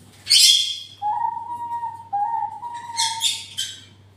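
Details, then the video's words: Parrot calls: a loud harsh screech, then a long, steady, mid-pitched whistle held for about two seconds with slight steps in pitch, followed by several raspy squawks. "Parrots original sound"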